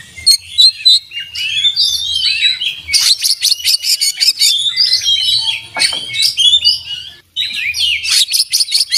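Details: Oriental magpie-robin singing profusely with open beak, its song full of fill-in phrases and tutored master passages: varied high whistles mixed with rapid buzzy trills and chattering runs, a brief pause near the end, faint low hum beneath.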